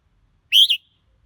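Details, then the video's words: Red-whiskered bulbul giving a single short whistled phrase that rises and then dips, bright and clear against a quiet background. "Chào Mào Hót Hay Nhất"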